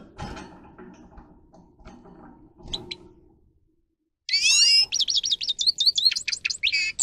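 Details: After low background clatter and quiet, a grey-crowned goldfinch kept for song training bursts into a loud, harsh buzzy note followed by a rapid series of high twittering, sliding chirps.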